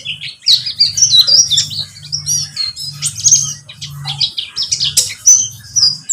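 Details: Pleci (white-eye) singing: a busy, high twittering stream of rapid chirps and short whistled notes, near-continuous, over a steady low hum.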